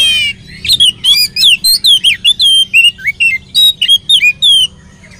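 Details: Oriental magpie-robin song used as a lure so that other magpie-robins join in: a steady, energetic string of loud, varied whistles and sharp upslurs, about three notes a second, for nearly five seconds.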